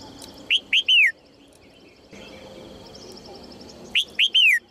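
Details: Female red-whiskered bulbul calling to encourage males to sing: two bright whistled phrases about three seconds apart, each of two short upswept notes and a longer whistle sliding downward, over a quiet background hum.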